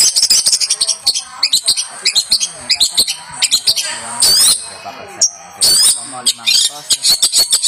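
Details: Singing champion long-tailed shrike, kept as a model for teaching other birds: rapid high chips and harsh chatter run into longer shrill, wavering rasps and squeals, then quick clicking notes again.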